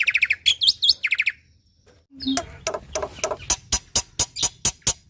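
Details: Black-winged myna song used to get lazy mynas singing: a few rapid chirps and whistled swoops, a brief silence, then evenly spaced loud clicking notes.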